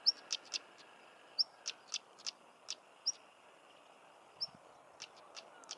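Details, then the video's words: Stonechat recorded in Cornwall, England, giving thin rising whistles paired with hard stone-tapping clicks, about a dozen sharp ticks in quick uneven bursts, against a quiet outdoor background. "Stonechat Bird Chirping and Singing"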